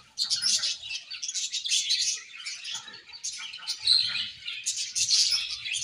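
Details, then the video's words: Colony of budgerigars giving continuous chirping, a busy mix of high twittering, scratchy warbles and sharp squeaks from several birds at once, with almost no gaps in the chatter. "𝐁𝐮𝐝𝐠𝐢𝐞 𝐂𝐨𝐥𝐨𝐧𝐲 𝐒𝐨𝐮𝐧𝐝𝐬 | 𝐁𝐢𝐫𝐝𝐬 𝐒𝐢𝐧𝐠𝐢𝐧𝐠"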